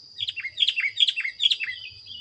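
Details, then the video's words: Sooty-headed bulbul song used as a masteran training recording for songbirds: a quick run of about eight sweet, downslurred whistled notes in short bursts within two seconds, over a steady high insect-like hum. "suara masteran kutilang anti gagal"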